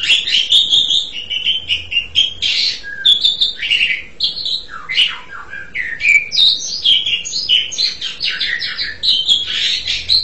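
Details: Asian pied starling in continuous song, a rich, varied stream of whistles, squeaky slurs and harsh buzzy notes with little pause throughout.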